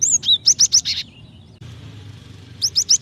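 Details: Female Java sparrow calling to a male, used to draw out his singing: rapid high chirps, clear whistled notes that rise and fall, in two bursts around a quiet gap with faint background hum.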